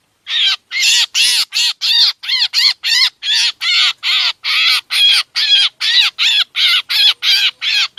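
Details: Black drongo sound played to lure the bird for trapping: a long, fast series of about twenty harsh, nasal, buzzy notes with chevron-like overtones, repeated two to three times a second.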